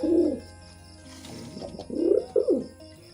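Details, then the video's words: Two low, gurgling coos from a pigeon during mating, a short one at the start and a longer rolling one after a pause, over a faint continuous hum. "Pigeon Sound Effect || Pigeon Mating"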